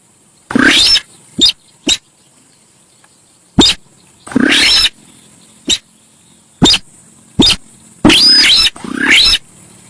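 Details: Noisy Javan pied starling, locally sintar sawah, in a lure recording: broad scratchy screeches with upward-sweeping strokes, one topped by a thin arched whistle, mixed with brief clipped notes and pauses.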